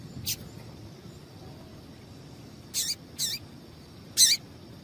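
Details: Female rusty-collared seedeater calling to stimulate a male to sing: short, high, scratchy chirps, single then in quick pairs, separated by long quiet gaps over faint background hiss.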